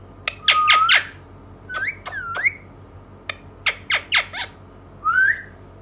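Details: Indian ringneck parakeet, a talking pet, giving sharp dry clicks, short upward-bending whistles and harsh squawky notes in several quick bursts, ending with a lone rising whistle.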